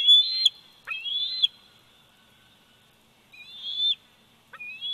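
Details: Eaglet bald eagle, 104 days old, at its Big Bear Valley nest, 27 July 2019, nest cam: shrill, piping whistles with a slight chatter, a quick pair of calls, a pause, then more rising whistles.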